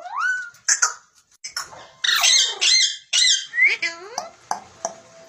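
A rose-ringed parakeet gives a rapid run of varied high calls: rising whistles, harsh squawks and chattering, talk-like notes in a small room.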